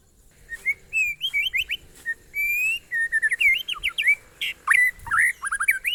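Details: White-rumped shama giving a monotonous glondong-style song, a steady series of clear rising and falling whistles with sharp slurred notes, over a low background hum.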